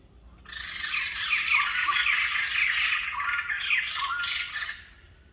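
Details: White-crested laughingthrush, a rare bird, in a loud, raucous, rapidly pulsing cackling chorus lasting about four seconds, with short slurred notes scattered through the harsh outburst.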